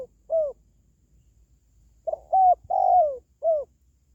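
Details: Spotted dove call, used to lift kept doves' mood or attract wild birds: a single mellow coo, a pause, then a quick run of three hooting coos, the longest sliding downward, over a faint low hum.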